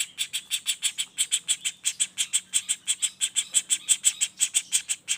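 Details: Non-stop calling of a juvenile common flameback: rapid, evenly spaced scratchy notes, nearly three each second, with a faint steady hum in the background.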